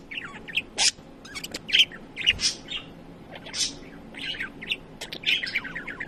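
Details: A male pet budgerigar chatters excitedly on a Saturday morning in a busy run of high chirps, warbles and brief scratchy squawks.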